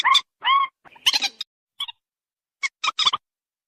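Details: White-breasted waterhen call played to draw in both sexes: two upslurred nasal notes, a harsh burst, then scattered short clipped notes with silence between.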